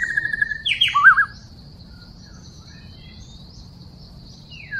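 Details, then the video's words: Wild white-rumped shama heard while trapping, 12 December 2016: a short rapid trill, a sharp descending burst and twisting warble, then quiet with steady insect drone and a faint falling whistle at the end. "Trapping bird White-rumped shama wild - Sounds birdsong great"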